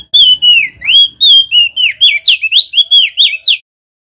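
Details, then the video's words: Lombok's endemic crested white-eye, a male, sings loudly as a lure: a run of clear whistled notes, slurred downward at first, then faster and rising, ending abruptly. "OPIOR JAMBUL ( Prenjak Daun ) Jantan GACOR - Suara PIKAT & Pancingan Burung Opyor BAHAN Supaya Bunyi"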